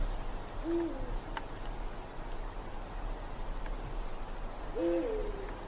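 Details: In a dark winter forest at night, a Eurasian eagle-owl gives a short low hoot, then about four seconds later a higher hoot that dips at the end, overlapping a lower one.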